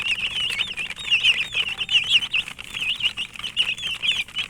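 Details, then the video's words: A brood of chicken chicks calls nonstop, bright high peeps with looping, slurred notes piled on top of each other, some louder calls standing out, light rustle behind. "Murgi chicks Chirping sounds"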